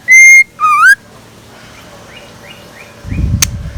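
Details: Morning song of a decoy scarlet minivet: two loud whistles, one steady and one dipping then rising, followed by faint repeated rising notes and a brief rustle.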